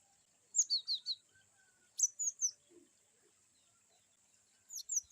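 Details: Cinereous tit (glatik batu) singing varied wucit-wucit notes: short groups of three to four high, downslurred whistles separated by pauses, fairly soft, over a constant thin high-pitched tone.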